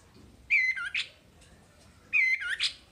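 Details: Wambi masteran recording: two short, separated phrases, each a sharp high whistle followed by a buzzy downslurred note, over a faint low background hum.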